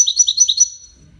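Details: A wedani European goldfinch gives a short burst of high, liquid twittering, about five chirpy notes in a fast, even rhythm. The last note trails into a thin whistle before going quiet.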